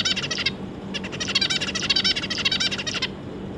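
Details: Zebra finches, an adult pair kept with three juvenile young, 25 July 2022: fast runs of buzzy, harmonic-rich chattering notes about ten per second, a brief pause after the first half second, then a longer unbroken run over steady low hum.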